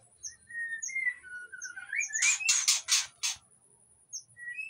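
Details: White-rumped shama in breeding condition, aviary in Indonesia, song luring other shamas: steady whistles climbing into a slurred rising phrase, followed by four loud harsh rasping bursts, then sparse high notes; faint low background rumble.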